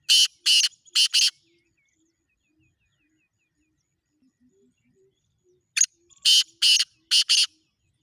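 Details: Black francolin, known locally as kala teetar, giving loud, harsh rasping bursts: a quick run of three, then a long silence, then a tighter series of five grating notes.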